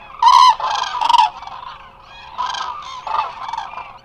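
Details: A large flock of Eurasian cranes resting in Israel's Hula Nature Reserve, recorded by a live webcam; an opening run of loud, rolling trumpet calls, then softer overlapping calls from many birds.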